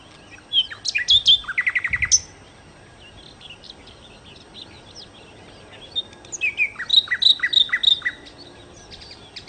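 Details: Nightingale, known locally as sikatan londo, singing varied phrases: sharp high chirps, a fast rattling burst of repeated notes, then a pause before a quick run of clear whistled notes rising and falling.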